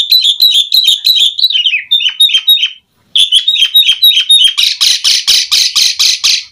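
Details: Asian pied starling singing energetically with imitated phrases, for training caged birds: rapid high chips repeated several per second, a brief pause, then harsh buzzy pulses.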